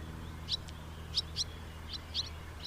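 A house martin gives about six brief, dry, high chirps at uneven intervals, some doubled, over a steady low hum.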